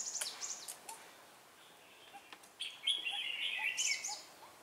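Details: Red-whiskered bulbul song recorded while trapping bulbuls on 4 December 2016; scattered high clicks and short chips first, then a bright warbled phrase of looping whistles, with faint lower chirps.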